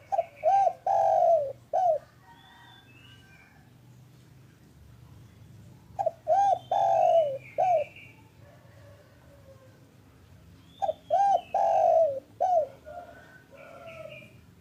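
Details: Spotted dove, known locally as derkuku or tekukur, calling in the afternoon. The recording is used to coax reluctant doves into calling. Three repeated coo phrases, each a few rapid throaty notes and a longer drawn note, with faint chirps between.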